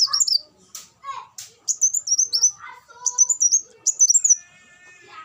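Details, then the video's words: Van Hasselt's sunbird sending out rapid, high-pitched twittering phrases of thin, sliding notes, with scattered lower chirps and a faint whine of other sounds between them. "suara burung kolibri wulung"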